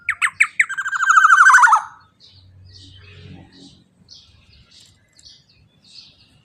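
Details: Black-naped oriole, loud 'teler' song used to prompt other birds to sing: three abrupt notes race into a coarse, buzzing trill that drops in pitch. Faint soft chirps and a low hum follow.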